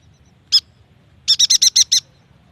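A yuhina gives one high chirp, then a quick burst of six bright, buzzy notes, about eight per second. A faint low rumble runs underneath.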